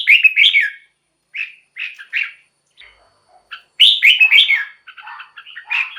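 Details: Red-whiskered bulbul singing, as played for decoying or to stir up other bulbuls. Short, liquid warbled phrases are separated by gaps of about a second, with a faint low note in one pause. A louder, richer cluster of phrases comes late on.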